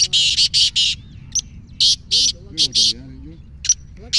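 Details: Black francolin of Sindh, a rare bird, calling in loud, coarse, buzzy bursts, several in quick succession then spaced pairs, with faint wavering chatter and steady low rumble beneath.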